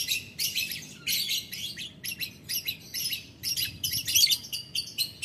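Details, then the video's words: Lovebird calling a rival, rapid volleys of shrill, rasping, high chirps and ticking notes, delivered in quick successive bursts with short breaks throughout. "Lovebird Memanggil Lawan Ngetik Ngekek - Tidak Lama Labet Auto Nyaut Ngetik Ngekek Panjang"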